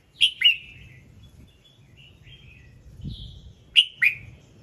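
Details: A red-whiskered bulbul sings in the morning to trigger other birds: two crisp whistled phrases of two sharp notes each, separated by soft warbling whistles, over a faint low hum.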